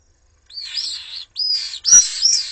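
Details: Common swift chicks, three in a webcam nest in Jerez de la Frontera, attacked by an intruder while the parents are away; shrill, thin screeching calls in three rasping bursts, each wavering high, with a sharp click in the last.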